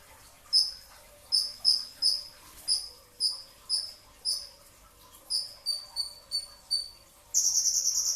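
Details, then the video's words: Brown-throated sunbird recorded before dawn at sahur, giving a steady series of about fourteen sharp, high, slightly descending chips roughly two to three per second, ending in a fast buzzy trill. "kicau konin dacok, kolibri ninja 2tak dada coklat full tembakan rapat"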